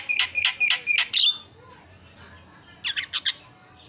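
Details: Javan myna in lively song used as a tutor recording: a burst of five harsh, buzzy, rapidly repeated notes, a short pause, then four quicker scratchy notes.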